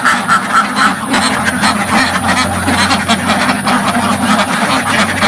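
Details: A crowd of farm ducks packed into a village pen, heard at close range, giving a steady wall of loud, rasping quacks with a low hum underneath.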